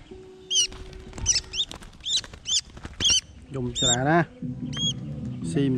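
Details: A collared falconet during hunting training gives thin, shrill, high squeaky notes about twice a second, with a person's voice talking over the later calls.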